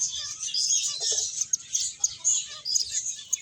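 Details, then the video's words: High, fast twittering from a group of finches at play and feeding, the chirps overlapping into a constant bright chatter punctuated by a few soft thuds. "Cute Birds Chirping Sounds | Beautiful Finches Playing and Eating"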